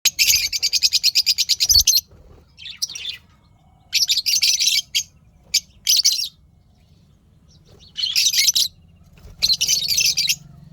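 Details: Pet lovebirds chirping happily: loud, harsh high chatter in bursts, the first a fast run of rapid repeated notes, then several shorter squeaky chatter bouts separated by quiet gaps.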